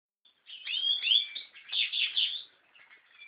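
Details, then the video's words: American goldfinch song: a continuous high, twittering warble of sliding whistles and rapid notes in two swelling phrases, then fading to softer twitters. "Carduelis Tristis song"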